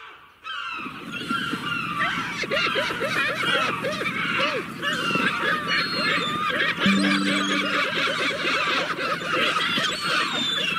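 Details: Seagulls calling in a dense chorus, overlapping harsh cries and rapid low repeated strokes, with many birds heard at once, plus a brief steady tone near the middle.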